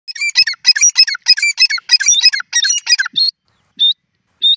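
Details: Grey francolin (Irani teetar) calling: a loud, rapid run of harsh, squeaky notes repeated more than once per second for about three seconds, then three short, sharp whistled notes with gaps between them. There is no background noise.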